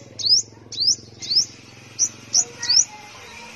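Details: A caged sunbird, kept at home in Tân Phú, Đồng Nai, Vietnam, gives six thin, very high, sweeping twitters, each rising then dropping, spaced about half a second apart over a faint low hum; finding: sunbird.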